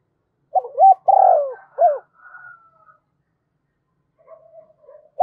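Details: Decoy spotted dove, caged and prized for its fine voice, calling to lure others: a quick run of low, hooked cooing notes with one longer drawn-out coo, then faint softer notes and a final short coo.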